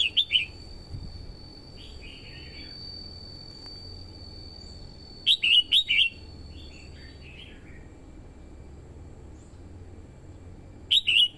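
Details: Red-whiskered bulbul, a female used as a lure to stimulate males and draw wild birds in Vietnam, gives short clear whistled phrases of three to five notes several seconds apart, with softer warbled notes between and a steady high tone.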